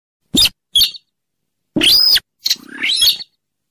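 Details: Rail, known locally as sintaran sawah, weris or mandar dengkur, a swamp bird of rivers and lakes, used as a trapping lure: two short harsh chips, then two longer rasping squeals, one arched and one rising, over silence.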